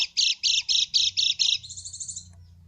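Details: Lure call of a yellow white-eye meant to provoke a silent bird into answering: seven loud buzzy chips in quick succession, then a softer fading trill of thinner notes.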